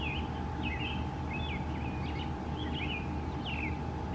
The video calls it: Male American Robin Singing